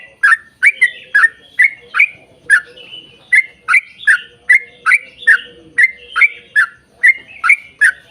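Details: Yellow-vented bulbul singing in long rapid 'ropel panjang' fashion to lure others to sing: quick succession of warbling notes, a brief gap midway, then the rapid chain resumes.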